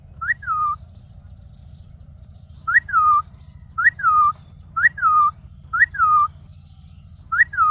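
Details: Ring-necked parakeet, presented as a talking parrot, giving a clear whistled two-part phrase: a quick rising note, then a falling slurred tone, repeated about once a second with short gaps, over a steady low hum.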